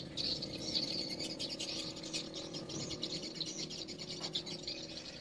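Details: Daytime swiftlets in a swiftlet house, a continuous chorus of thin, high twittering chirps from many birds over a steady low rumble.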